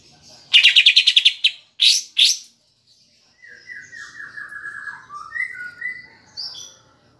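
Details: Lure song of the greater green leafbird with kapas tembak filler, meant to excite pet birds: a loud rapid rattling trill and two sharp notes, then a soft descending whistled run and scattered chatter.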